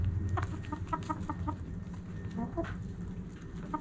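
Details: Backyard hens at morning sunrise cluck in quick repeated bursts, short harmonic notes coming in rapid uneven runs, over a low steady hum.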